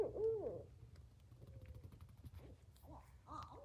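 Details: A Barred Owl at a forest campsite around 10:30 pm, heard from a tent, gives a loud, throaty hoot that rises and falls, then fainter, wavering hoots against a low night-time rumble.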